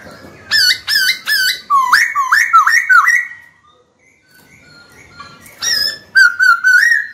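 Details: White-cheeked laughingthrush kept as a cage bird, singing to stir a rival to fight: a fast run of sharp upslurred whistles, a short break, then more clipped rising notes in quick succession.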